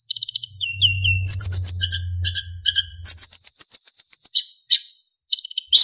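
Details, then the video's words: Narcissus flycatcher singing a master song meant to train other songbirds: soft descending whistles, then sharp chirps and a rapid even trill of bright notes, over a steady low hum during the first half. "MASTERAN BURUNG SIKATAN EMAS GACOR FULL ISIAN & SULINGAN JERNIH"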